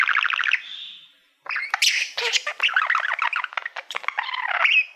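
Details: Male pet budgerigar singing at a reflective silver award plaque: a buzzy trill, a soft whistle, then after a short gap a busy stream of chirps, squeaks and scratchy warbled phrases.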